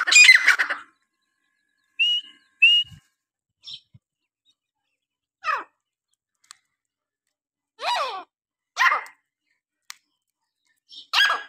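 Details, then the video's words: Francolin voice: harsh, grating, rasping call phrases in loud bursts every second or two, with a few short clear whistled notes between them, with human laughter just before and after. "Teetr ki awaz❤️ francolin voice"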